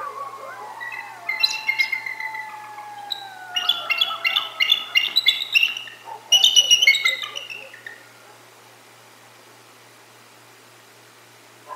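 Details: Bald eagle chortle at the Decorah North Nest: bursts of thin, high, rapid chittering notes that rise and fall, with long, sliding howls of coyotes running beneath them at the start.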